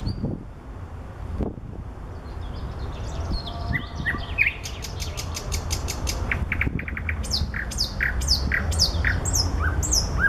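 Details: Common nightingale singing among flowers: a rapid dry trill of clicks, then varied whistled phrases with sharp upsweeping notes and short rattles, repeated quickly over a steady low background rumble.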